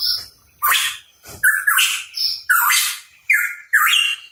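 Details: Hooded pitohui in vigorous song: about six abrupt phrases mixing harsh, squawking bursts with short whistles that jump upward in pitch, separated by brief gaps.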